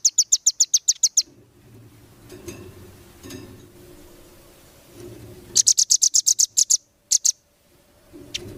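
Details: Velvet-fronted nuthatch (rambatan) tutoring song for competition birds: bursts of rapid, high, sharp chips separated by several seconds of quiet with a low background hum, then another quick burst and two isolated notes.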